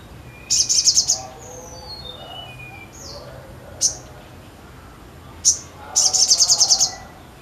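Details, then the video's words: Sogon singing energetically: a rapid high trill, a falling series of thin whistled notes, isolated sharp chips, then another fast buzzy trill, with soft lower warbles between. "SOGON GACOR MANTAP"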